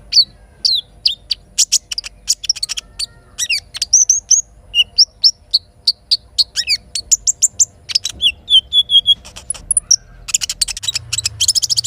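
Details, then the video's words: Little spiderhunter in morning song, kinin-filled style for coaxing birds to sing: long lively sequence of high varied whistles, hooked notes and ticking bursts, ending in a dense buzzy flurry. "Terapi Sogok Ontong isian kinin Pancing Gacor Pagi Hari"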